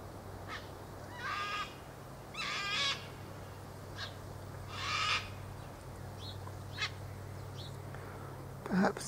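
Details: Many ibis feeding in a meadow on a warm afternoon; softer, scattered rasping croaks from several birds at irregular intervals, with a steady low hum underneath and brief faint chirps between.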